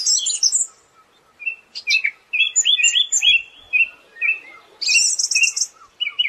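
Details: Siberian thrush giving a high squeaky burst, a pause, then a loose string of short whistled slurs and buzzy high notes with gaps between phrases.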